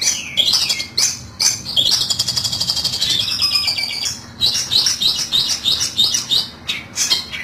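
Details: Long-tailed shrike call played as a trapping lure, harsh, buzzy and high-pitched. Bursts of rapid scratchy chatter are broken by short pauses. A steady rattling run sits in the middle, and scolding notes repeat about three per second.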